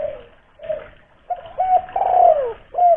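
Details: Local spotted dove lure caller recorded in Kuningan, West Java, played morning and evening to make captive doves call; soft low coos building to a loud drawn-out coo and a clipped final note.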